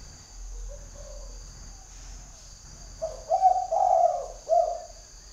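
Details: Tame decoy spotted dove with a very large spotted neck collar, calling out to a wild dove in the forest; faint early murmurs, then a loud series of low, throaty coos in the second half over a steady high insect-like hum.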